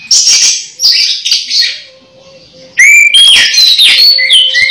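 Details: Orange-headed thrush (anis merah), about to moult yet still singing actively, sings loud, fast, varied phrases of high scratchy notes and clear whistles, with a short pause midway and a faint steady hum behind.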